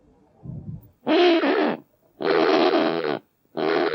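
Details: Kakapo: three loud, harsh, rasping squawks, each about a second long and spaced roughly a second apart, preceded by a faint low grunt, with otherwise quiet surroundings.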